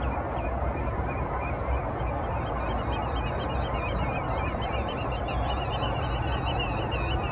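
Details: Common shelduck calling at Landje van Geijsel, the Netherlands, in April 2020: wavering, warbled high whistles and honking notes repeat throughout, over a heavy, steady rumble of wind.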